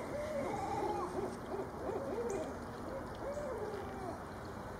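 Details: Loud calling as a female Barred Owl is visited by her mate: two voices overlapping, with level and arched hoots at different pitches woven together in a busy, rhythmic exchange.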